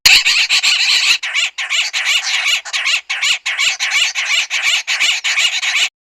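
Southern Pied Babblers give loud, harsh, grating chatter in rapid overlapping bursts, several birds calling together with only brief pauses.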